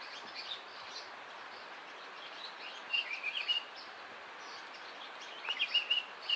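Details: In a garden in the Eastern Cape, South Africa, an African Paradise Flycatcher gives two short bursts of quick, ringing notes about two seconds apart, over a steady background hiss.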